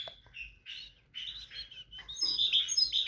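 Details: Tit singing: a quick run of varied high chirps and short warbled notes, then a denser bright twittering phrase in the last second, with no pauses longer than a fraction of a second.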